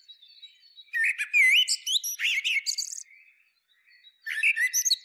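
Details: Turdus merula, the Common Blackbird, sings a rich whistled phrase with a looping, rising note, then chattering squeaky notes, a thin soft tail and a fresh phrase at the end.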